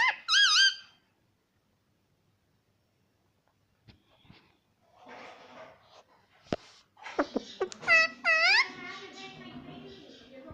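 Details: Pet parrot said to be saying "papa": an opening wavering call, a stretch of quiet with faint clicks, then sharp snaps leading into several looping, bending harmonic calls.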